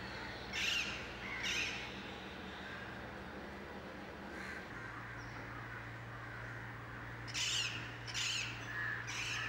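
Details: Rose-ringed parakeets flying over central Mumbai, India, in 2019: harsh, scratchy screeches in short bursts near the start and again near the end, over a steady low hum and faint city background.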